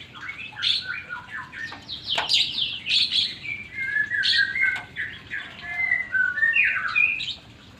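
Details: White-rumped shama song, beginner-level version meant for training long breath: a varied run of clear whistled phrases, quick chips and rich warbled notes shifting in pitch, delivered in bursts with brief pauses, indoors.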